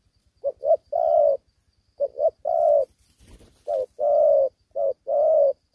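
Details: Spotted dove, a young caged male-style fighter in Vietnam lacking its full neck collar, giving short double coos then long coos in repeated phrases; a brief rustling noise breaks in midway, low hum underneath.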